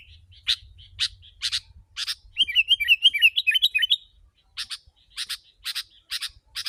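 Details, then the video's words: Sooty-headed bulbul used to draw wild birds, starting with spaced harsh chips, then a rapid bubbling warble of zigzag notes for about one and a half seconds, followed by more paired buzzy chips; faint low hum early on. "Kutilang si.ladusing super gacor suara rapat menekan burung liar"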